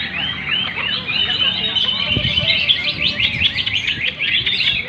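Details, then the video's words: Greater green leafbirds singing at a bird singing contest (gantangan): a dense, overlapping chorus of high chirps, trills and quick warbled phrases runs throughout, growing into rapid repeated notes near the end, over a low murmur of crowd noise. "kontes burung/gantangan cucak ijo"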